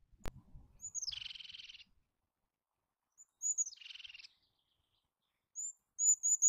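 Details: Eurasian jay giving two harsh, rasping calls about two seconds apart, each a grating buzzy burst just under a second long, led by a thin high note. More thin high notes follow at the end in an otherwise quiet setting.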